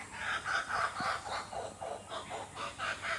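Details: Laughing kookaburras calling in the Australian bush, a steady series of hoarse, pulsed chuckles repeated about four times a second over a constant hiss.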